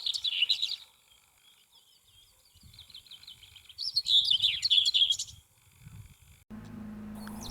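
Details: Common Whitethroat, a migrant, gives two short, hurried but vigorous scratchy babbling phrases of high notes a few seconds apart, then a cut to a low steady hum.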